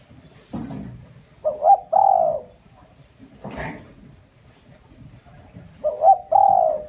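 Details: Lure call of a spotted dove for trapping: quick paired hoots ending in a long drawn coo, given twice, with a couple of dull thuds in between.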